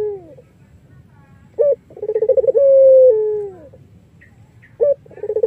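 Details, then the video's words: Collared dove, Iraq variety, whose sweet song serves as a lure for other doves; after a fading coo comes a crisp note, a quick pulsing roll and a long level coo that sinks at the end, then another phrase starts. "BURUNG PUTER IRAK GACOR MERDU"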